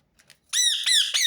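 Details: Rose-ringed parakeet giving a loud, harsh, repeated call used to prompt other birds to sing; a few faint clicks, then a strong grating squawk with stacked ringing bands that breaks briefly and resumes.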